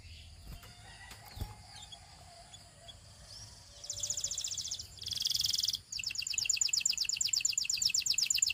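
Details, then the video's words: Quiet opening with a faint hum and scattered soft notes, after which a Belgian canary breaks into loud high rattling trills in three bursts, the last long and even. "The Belgian Singing Canary"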